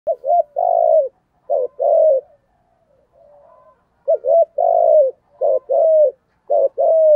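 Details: Spotted dove decoy bird cooing in the Thổ voice style to lure wild doves; phrases of low hollow coos, a short note, a longer wavering coo, then a falling tail, repeated in two-second bursts with pauses.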